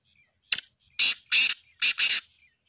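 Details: Harsh call of a Black francolin (Sindhi teetar), recorded 2-1-2024: a brief sharp opening note, then four broad rasping notes, paired and closely spaced, against near silence.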